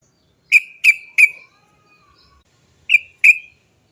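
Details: Sharp, clipped 'cok' notes of a sooty-headed bulbul, from a lure recording of its long rolling song. Three quick notes, a short pause, then two more, each with a brief falling tail.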